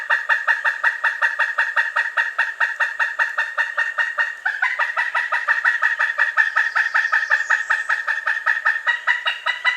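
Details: A Pileated woodpecker calls in a long, unbroken run of sharp nasal 'kuk' notes, nearly three per second for ten seconds, with a slight shift in pitch midway; clean recording without other noise.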